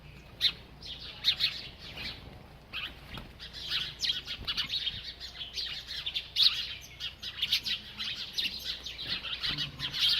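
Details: Continuous high-pitched chirping from a bird as it eats, dense overlapping tweets that grow busier and louder after four seconds, with scattered soft clicks.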